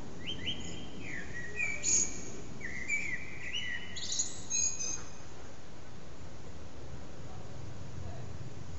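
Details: Common blackbird singing from an antenna, almost three hours with short breaks; one phrase of about four seconds, clear fluted notes ending in high squeaky twitters, then a pause with soft low rumble.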